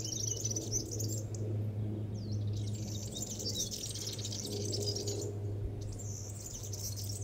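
A Sardinian warbler sings in fast, scratchy, chattering bursts of high notes, each a second or more long, over a steady low hum.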